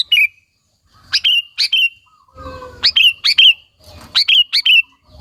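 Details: Sooty-headed bulbul singing to lure and stir other bulbuls; sharp, slurred chirps in pairs and triplets, repeated at uneven intervals, with faint low murmuring in the background.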